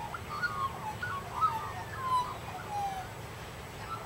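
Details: Australian magpies socializing among suburban trees in Sydney: overlapping warbled, gurgling mid-pitched phrases with a few sliding whistled notes, irregular and chattering, over a constant low background hum.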